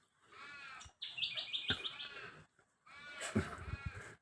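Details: A willie wagtail in a yard gives harsh, rasping chatters in three bursts, with a few short, sharp ticking notes mixed in. It is scolding the dogs nearby, after one dog chased it around the yard.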